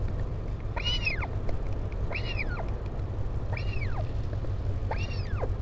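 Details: Northern royal albatross, parent visiting chick at the Taiaroa Head colony near Dunedin, New Zealand, 16 July 2019: four rising-and-falling nasal calls about 1.3 seconds apart, with a low rumble of wind underneath.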